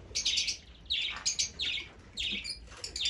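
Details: Sharp, high chirping calls of Fischer's lovebird, several notes clustered together, then a pause before the next burst.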